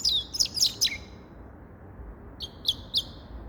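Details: Grey-crowned goldfinch giving a short burst of sharp high chirps, then a pause and a few more twittered notes.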